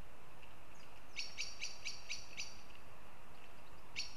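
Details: At Riga in Latvia, a northern goshawk gives a rapid run of six hard, ringing notes, roughly four each second, followed by a short gap and one last note, with faint softer chirps and a constant hiss behind.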